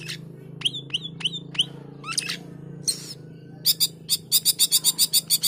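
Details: Male Asian glossy starling in active song: a string of sharp upward-flicking chips, raspy notes, then a rapid series of about ten short harsh clicks, over a loud continuous low hum.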